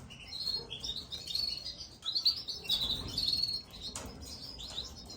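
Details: Gloster canary young begging during feeding: a rapid, continuous chatter of very high, thin chirps rising and falling in intensity, with one sharp click near the end.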